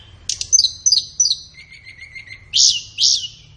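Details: Flowerpecker master song for captive-bird training, best in morning or afternoon: sharp high ticks over a thin sustained whistle, faint repeated lower notes, then two loud, broad, hissing chirps.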